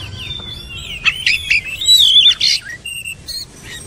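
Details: Varied, melodious whistling from an Oriental magpie-robin, with clear sliding notes building to a loud warbled phrase, then short high chirps and thin piping tones against light background noise.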